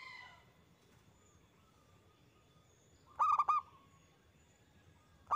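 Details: Zebra dove lure song meant to provoke other perkutut into singing. After a quiet stretch, one brief phrase of three or four quick, rolling coos comes, and another begins at the very end.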